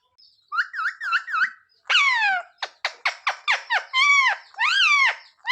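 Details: Talking parrot mimicking "mummy papa": a soft repeated wavy phrase, then a long downward-sliding squawk and a fast run of short squawked syllables ending in arched calls.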